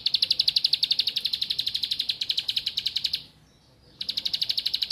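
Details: Bar-winged prinia pouring out a fast stream of high, ringing chips for three seconds, falling silent for under a second, then resuming the same rapid, regular rhythm.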